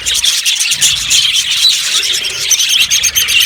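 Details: Brief burst of budgerigar chatter from an aviary colony: rapid high chirps and scratchy warbles crowded together.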